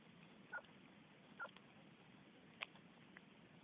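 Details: Groove-billed ani (chik-bul) feeding on ants in northern Yucatan jungle, Mexico, recorded by cell phone: two short liquid notes about a second apart, then a sharper, brighter burst, over steady low background hiss.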